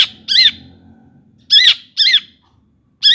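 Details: Cendet, the long-tailed shrike, in lure song to rouse other shrikes: a few loud, harsh, wavering notes spaced about half a second apart, separated by silence.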